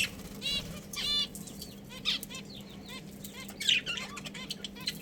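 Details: Budgerigars, a breeding pair, chattering: a busy run of quick warbling chirps, stacked and wavering, coming in clusters every half second or so across the whole stretch, over a constant low hum.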